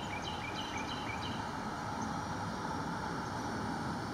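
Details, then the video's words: A northern rough-winged swallow (Stelgidopteryx serripennis) on a wire over the East Branch Perkiomen Creek, Salford Township, Pennsylvania, on April 21, 2019 gives four quick, short rising notes in about a second over low traffic rumble and a thin whine. "Northern Rough-winged Swallow"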